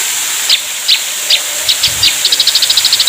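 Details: Ashy drongo master song used for training competition songbirds: short sharp whistled notes near the top of the range, first spaced about every half second, then speeding into a rapid even series of clipped repeated notes; steady hiss behind.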